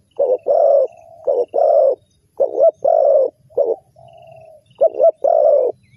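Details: Lure call of a spotted dove for trapping wild birds: low, throaty coos in short clusters of two or three, separated by a soft steady hum, about ten notes over six seconds, distant faint chirping.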